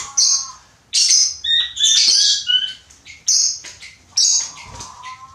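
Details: Indoor pet button quail crowing, said to sound somewhat like a chicken: a series of shrill, falling whistled notes with rough overtones, delivered in bursts roughly every second, broken by short gaps.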